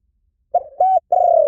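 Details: Spotted dove cooing in three low notes: a stuttering short coo, a steady level one, then a long drawn-out coo that slowly falls in pitch and is cut off at the end.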